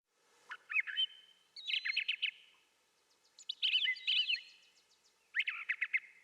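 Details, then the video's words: Brown thrasher singing: short bursts of rich, varied phrases, each made of rapid notes, some doubled, with a whistled note near the start and quiet pauses of about a second between phrases; no other sounds. "Brown Thrasher - Bird Sounds"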